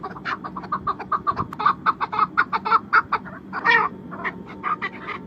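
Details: Chukar, Pakistan's national bird, giving a run of harsh clucking notes in quick succession, roughly three per second, with a louder burst near the end and low rumbling background.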